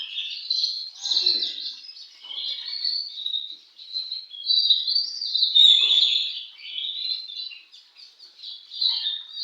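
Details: Contest-singing white-rumped shama (kacer) delivering a long run of varied whistled and warbled notes in uneven phrases, with faint lower background noises.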